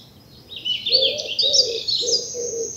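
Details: Birds singing in a spring bluebell wood in the south of England early in the morning: high rapid twittering above, with a soft low cooing of two-note pairs repeated twice underneath.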